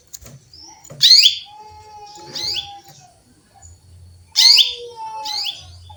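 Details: A female canary calls to a male with bright, high chirps that sweep downward. They come in two pairs about three seconds apart. A faint steady lower whistle is heard between them.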